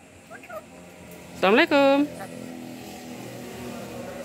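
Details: A young, tame black-capped lory that is learning to talk gives two loud, speech-like phrases in quick succession, the first rising and the second held level, over faint background hum and soft voices.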